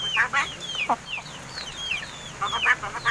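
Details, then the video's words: Crested mynas kept as pets since young, now over seven months old and learning words: falling whistles alternate with raspy chattering bursts, clustered at the start and end. "MARTINEZ BIRD TALKING!"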